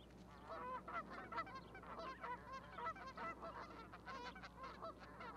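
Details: At a Charlo, Montana osprey nest platform on 12 May 2020, geese with newly hatched goslings give dense, overlapping nasal honks in quick succession, with a constant low background hum.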